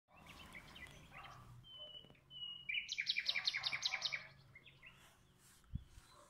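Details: Common nightingale countersinging with a nearby rival: soft scattered notes, a pair of thin level whistles, then a fast rhythmic trill of about a dozen sharp repeated notes, with faint notes trailing after.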